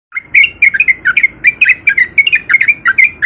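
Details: Male sooty-headed bulbul in breeding condition, a lure to make quiet bulbuls sing; rapid ropel-style song of short bubbly chirped notes, about five per second, each slurring between mid and higher pitch, with faint low background rumble.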